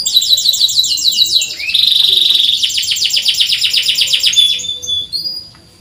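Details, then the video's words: Chirping canary song meant as a model for canaries slow to sing: quick high trills, a pure sustained whistle, then buzzy repeated note series that taper off into a few short chirps. "PANCINGAN BURUNG KENARI SUARA CUIT CUIT COCOK UNTUK MASTERAN BUAT YANG SUSAH BUNYI"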